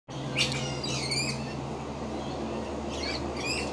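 Scaly-breasted lorikeet giving short, shrill, rasping screeches in two pairs of bursts, over a steady low mechanical hum.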